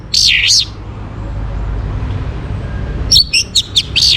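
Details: An Orange-headed thrush in the morning gives a loud, slurred whistle that dips and rises, falls silent for over two seconds, then delivers a rapid string of short, sharp whistled notes over a soft low hum.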